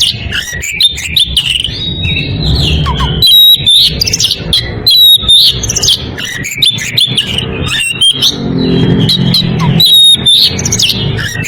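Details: Male-rival calling by an Oriental magpie-robin in breeding condition, a dense stream of piercing whistles, sliding notes and scratchy chirps repeated rapidly for over eleven seconds, with a faint low rumble underneath.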